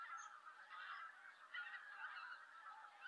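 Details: Greater White-fronted Geese in Japan in November, calling noisily as they come in to roost while harriers also go to roost; a dense, continuous chorus of overlapping honking calls from many birds.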